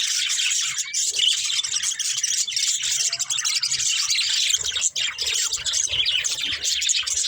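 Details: Budgerigars chatter while playing in a dense, high, continuous warble of overlapping chirps and squeaks.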